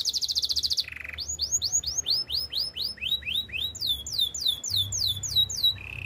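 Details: Canary training song: a high rattling trill, a low buzz, then a long sequence of quick falling whistled notes, ending on a short buzzy roll.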